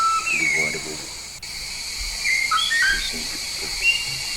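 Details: Actively singing yellow-faced myna originating from Papua gives high, thin whistles with quick upward and downward slides, while a man speaks briefly at the start against a constant hiss.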